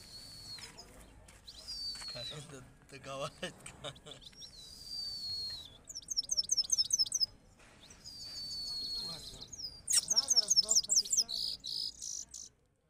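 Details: Goldfinch set against a goldfinch of Kabul in Parachinar. Long thin whistled slurs alternate with quick chattering bursts and buzzy trilled phrases, sung in two main flurries. Low human voices and background noise are heard between them.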